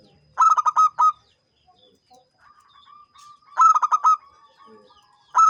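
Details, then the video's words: Champion local zebra dove sings in ngancing style, two full cooing phrases of quick stuttered notes ending on a longer one, a third phrase starting at the end, with a soft steady coo between phrases. "SUARA BURUNG PERKUTUT JUARA GACOR NGANCING"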